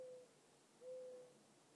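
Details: Two level, low coos from a mourning dove in the evening, the second longer and louder, separated by a short pause, against quiet background.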